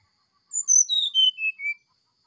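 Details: Oriental magpie-robin singing its flute-like sulingan song in the morning: one clean phrase of six whistled notes, each a step lower than the last, gliding from very high to mid pitch in just over a second, with silence around it.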